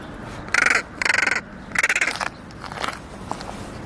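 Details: Young crow making strange sounds, a run of three loud, buzzy rattling caws in quick succession, each broken into rapid pulses, followed by softer fading notes.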